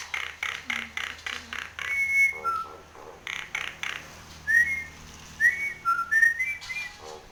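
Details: Head-bobbing Nias hill myna opens with evenly spaced harsh clapping pulses, then delivers several bright slurred whistles, some rising, some dropping, spaced under a second apart.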